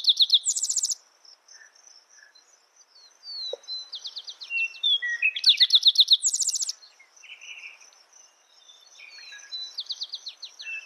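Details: Two songs of a spotted towhee about five seconds apart, each a quick string of crisp notes followed by a harsh buzzy trill. Between them come assorted faint bird chirps and a continuous high-pitched insect hum.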